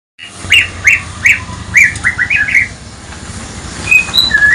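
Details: White-rumped shama lure recording made in the morning: five short, rising whistled notes in an even series, then a quick tumbling run of slurred phrases and a few clear, higher sustained whistles over a faint low rumble.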